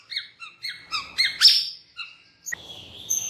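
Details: White-rumped shama song used as a lure to make other birds sing: a run of short repeated chirps about four per second, then a harsh burst and a sustained high whistled note, faint room background.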